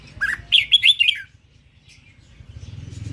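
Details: A single quick phrase from an Indonesian-strain red-whiskered bulbul: a rising whistle followed by a rapid run of bright warbled notes, then quiet with low mechanical ticking.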